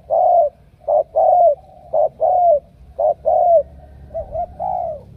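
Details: Spotted dove from Cà Mau, Vietnam, cooing: a short clipped note then a longer falling coo, in pairs about once a second, with a softer, broken phrase near the end.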